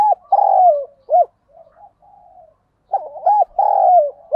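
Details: Spotted dove kept as a decoy bird, calling to stimulate wild males to coo and to train decoys; loud, throaty rolled coos with short clipped notes, a softer quiet stretch midway, then the coo phrase repeats.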